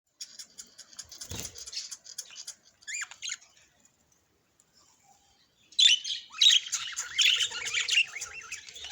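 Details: Happy pet budgerigar chirping: bursts of high, scratchy chirps and short rising notes, a pause of near silence, then louder dense warbled chatter with a soft low thump early on.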